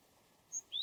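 A Japanese tit gives a brief two-note phrase: a thin, level high whistle followed by a quick upslurred note, over faint background hiss.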